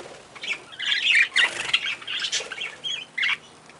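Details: Lineolated parakeet (Catharina parakeet) giving harsh, squawky chattering calls in irregular bursts, with a louder run of scratchy notes midway and a short sharp burst near the end.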